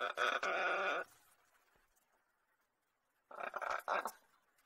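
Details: Indoor pet lorikeet, a male, gives a loud rasping squawk lasting about a second, then a long near-silent gap before a second, broken, scratchy burst of chatter.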